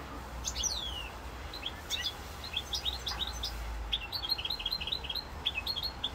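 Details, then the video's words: European goldfinch of the rosse corse type, recorded 7 November 2022, singing: rapid twittering of short high notes and tinkling chirps, with a few downslurred whistles early on, over a low steady hum. "chant chardonneret rosse corse"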